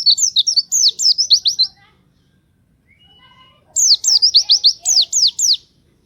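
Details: Pleci (white-eye) singing lively, used to lure other pleci birds into song: two bursts of rapid high, sharply slurred notes, about nine each, separated by a pause with faint lower chirps.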